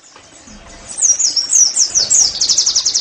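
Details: Oriental white-eye song for training caged birds: after a quiet second, high sliding whistles begin and quicken into a rapid trilled run near the end.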